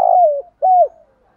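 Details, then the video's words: Two clear coos from a spotted dove meant to attract wild doves: a long note gliding gently downward, a short pause, then a second similar falling coo. "cu gáy thúc gù BÀI BẢN bổi nghe phải gáy theo"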